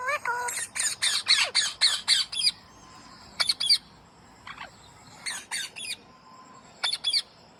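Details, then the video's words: Harsh, rapid squawking from a green parrot: a fast run of about eight loud rasping notes, then shorter bursts of two to four squawks after pauses. "Parrot Talking | Green raw parrot Talking | parrot sound"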